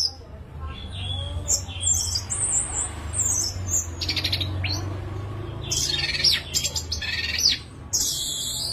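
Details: Orange-headed thrush in full, lively song, clearly recorded: varied high whistled and chattering phrases, some sliding and buzzy, broken by short pauses, over a steady low hum.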